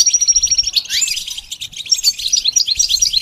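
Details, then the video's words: A goldfinch sings in a fast, liquid jumble of high chirps and twitters, opening with a thin sustained whistle and a quick rising slur, the notes tumbling on without a break. "The basics of training the goldfinch to sing"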